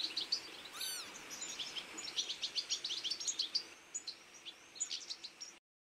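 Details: Autumn feeding flock of goldfinches, Carduelis carduelis, giving bright, rapid twittering and tinkling calls, many birds overlapping in quick bursts with short pauses, one sweeping call early on, before the recording cuts off abruptly.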